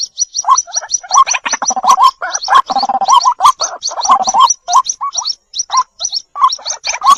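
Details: Young white-breasted waterhen (jal murgi) calling steadily: a constant stream of high, fast chips above throaty bubbling notes, many of them rising, with a louder gargled passage in the middle.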